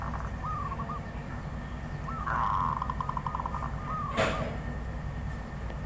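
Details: Wild zebra dove: three short bursts of quick, soft cooing notes, with a sharp click-like knock partway through and a low rumbling background.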